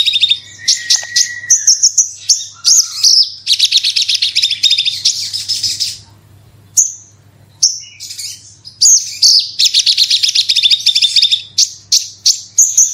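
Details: Lure song of a branjangan (Horsfield's bush lark), 'gacor super roll tembak' style, played to trigger singing: long rapid run of high chirps and buzzy trills, a lower whistle early on, a pause near six seconds, then dense trilling resumes.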